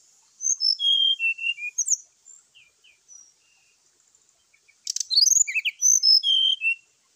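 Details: Morning fighting call of a Brown-chested Jungle Flycatcher, used to provoke other birds: two bursts of high sweet whistled notes, the first descending in steps, then soft scattered chips and a brief crackle before a second fast, jumbled whistled phrase.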